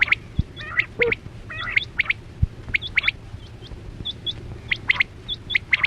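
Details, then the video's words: Quail lure call for net trapping, 2024-25 season: quick sharp doubled and tripled notes recurring about once a second, mixed with thin hooked high whistles from other birds and low background noise. "Sound Of Chora Quail Batera"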